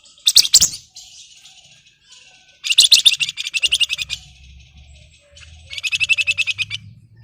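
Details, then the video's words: Flamboyan song in the ngebren rapat nyerecet style: three bursts of dense, rapidly pulsed high buzzing trills separated by softer chatter, with a faint low hum underneath. "Burung Flamboyan Gacor Ngebren Rapat Nyerecet"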